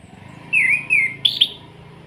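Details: Orange-headed thrush kretekan call, played to stir other birds to sing: two clear, wavering whistled notes, then two sharp, rasping crackles in quick succession over a soft, steady background hum.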